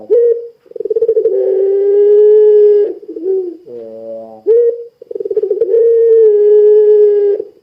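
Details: Ringneck dove of the puter pelung type cooing briskly as a lure to prompt other doves: two long low coos, each opening with a rapid trembling roll, separated by a short break with a buzzy, reedy lower tone.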